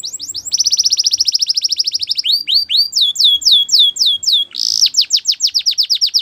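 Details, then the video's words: Singing Belgian canary: upswept notes, a fast rattling trill, a series of hooked whistles, then a harsh burst leading into rapid repeated downstrokes. "Belgian Canary Singing"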